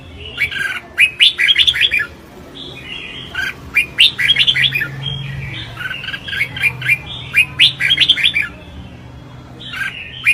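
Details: Red-whiskered bulbul (Pycnonotus jocosus) singing competitively, giving bright, chirpy phrases of quick warbled notes in irregular bursts over a faint low hum.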